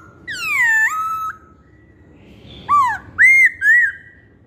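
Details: Masked laughingthrush giving one long, strong downslurred whistle, then after a pause three quick, clear arched whistles.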